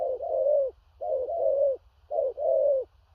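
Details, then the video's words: Big-bodied spotted dove delivering booming 'thổ rặc' coos with stammered notes. Three phrases, each a brief coo run straight into a longer, gently falling one, roughly one per second. A low hum sits underneath. "Cu Gáy/THỔ RẶC ÂM KHỦNG/Clip455/Nước Xa Thúc Kèm Gù Cà Lăm/Tướng Bộ To Bự"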